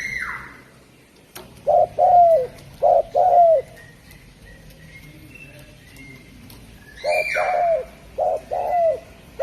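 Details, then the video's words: Song of a Javan spotted dove (derkuku) from Indonesia: low mellow coos in paired phrases, short then long with a downward tail, two groups a few seconds apart, the second opened by a sharp falling whistle. "Suara Burung Derkuku Jawa"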